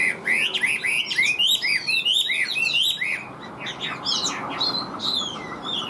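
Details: Chinese hwamei kept in a cage sings a rapid 'điện đóm' song. A dense string of rising whistled notes rolls on without pause, softening briefly midway before picking up again.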